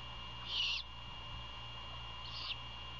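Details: Nest-cam recording of great horned owl near Savannah, Georgia, 1:38 AM, 27 February 2022, prey being handed over at night: a loud harsh, wheezy screech, then a softer second one nearly two seconds later; steady background hum.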